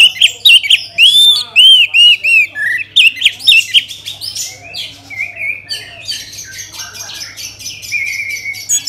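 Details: Orange-headed thrush song for prompting other birds to sing: varied loud whistled phrases, looping and slurred, delivered quickly for several seconds, then trailing into softer, scratchy twittering.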